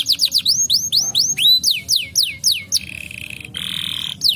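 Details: Brown canary singing to motivate lazy canaries: quick descending whistled sweeps repeated several times a second, then two flat sustained tones at different pitches and a final sweep.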